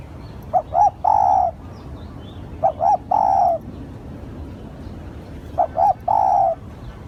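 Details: Lure call of a spotted dove: three cooing phrases about two and a half seconds apart, each two quick short coos followed by a long, level, slightly falling hoot, with low steady background noise.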